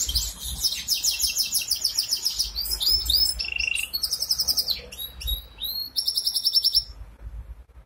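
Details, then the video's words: A goldfinch hybrid in Ankara sings a fast, jumbled song of high twittering trills, buzzy notes and a brief lower whistle, with a faint low room hum beneath. "Saka melezi"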